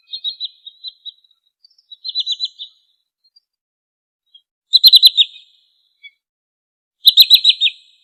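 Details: Trinil sawah sandpiper calling in short groups of three to five fast, high, clipped notes. The groups are spaced a second or more apart and get louder later, with silence between.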